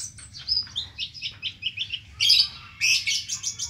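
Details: Van Hasselt's sunbird in busy, rich song with many inserted phrases: rapid, high, sharp chirps and short trills repeated nearly twice a second, ending in louder buzzy bursts, over a soft low background hum.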